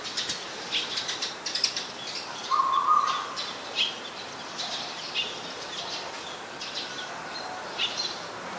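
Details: Eurasian tree sparrows in Ubon Ratchathani, Thailand, 22 November 2019, where the species is a very common resident: a busy run of sharp, overlapping chirps throughout, with one louder sustained buzzy note about a third of the way in.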